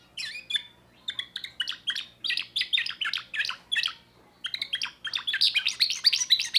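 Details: Young timbrado canary from 2024 singing a new repertoire: fast run of trilled, rolling notes about four per second, a short pause near the middle, then a denser, louder stretch of metallic chirps.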